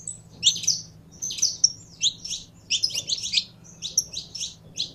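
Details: Canário da terra song in short clustered bursts of high chirps and buzzy notes, a few brief whistles between groups, low hum faintly behind.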